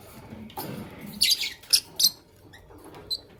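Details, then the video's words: Fischer's and masked lovebirds chirping in the morning: a run of shrill, high, harsh chirps packed into the middle of the stretch, with a single short squeak near the end, over a quiet indoor background. "LoveBird Chirping Sound"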